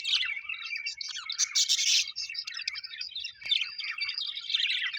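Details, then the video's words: Pet budgerigars, said to be happy, give continuous scratchy warbling and chirps, with a loud buzzy burst early on and one sharp click. "Happy budgies chirping sound"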